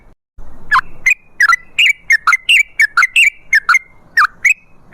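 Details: Sooty-headed bulbul in vigorous 'gacor' singing, used as a lure to get other bulbuls singing: about fifteen short, liquid, slurred notes, dipping and rising, delivered in an uneven quick rhythm.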